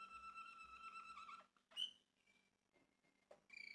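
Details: Male Malinois Waterslager canary from a Turkish breeder: a rolling trill fades out, followed by a single bright note and faint scattered notes before the song resumes.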